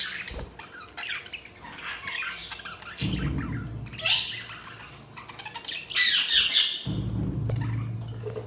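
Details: Budgies chatter with a mix of high squawks and warbling chirps, irregular and overlapping, over a low rumbling background that comes and goes.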